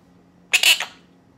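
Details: A pet monk parakeet, while showering and being coaxed to say Spanish words, gives one short, harsh, raspy utterance under half a second, high and scratchy, over a quiet background.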